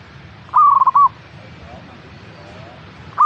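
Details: Zebra dove song from a caged local perkutut, played to make other birds active and singing: one clear rolling coo phrase of stuttered notes with a final rounded note, then the start of the next at the end.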